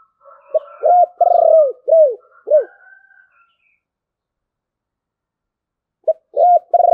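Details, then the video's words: Spotted dove singing in the 'thổ bầu' voice style: a run of four short, arched, hollow coos in quick succession, a long pause, then the phrase starting again with clipped coos. "cu gáy giọng thổ bầu, nghe cũng hay phết"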